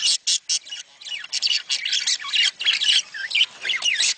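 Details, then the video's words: Budgerigar mating chatter for stimulating breeding opens with a few separate sharp chirps, then becomes a dense flow of twittering, rising and falling whistled notes and squawks. "صوت تزاوج العصافير الاسترالي محفز ليهم"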